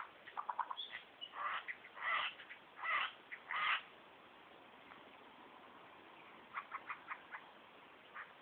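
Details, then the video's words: Hidden behind bushes, a superb lyrebird mimics other birds and sounds, including kookaburra, whipbird, whistlers, magpies and a laser gun: a burst of harsh, rapid, varied notes for about four seconds, a short gap, then a quieter run of clipped chirps. "Superb Lyrebird call"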